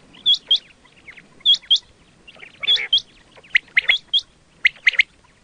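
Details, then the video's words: Hunting call of the quail (batair ki awaz): sharp high whistled notes in pairs, repeated roughly every second, with one rougher buzzy note midway. "quail 2024 Fresh sound Batair Ki awaz"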